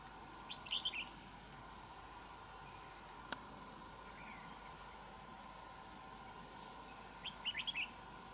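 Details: Red-whiskered bulbul, a wild bird drawn to a decoy in a fighting trap: two brief chirpy warbled bursts, one near the start and one near the end, separated by a long quiet gap with a single click and faint hiss.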